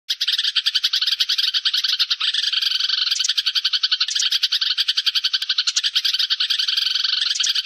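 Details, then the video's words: Sparrow flock call recorded as lure audio for trapping: dense, continuous chattering of many overlapping chirps, rapid and rolling, with brief surges in intensity every second or so. "tiếng chim sẻ gọi bầy"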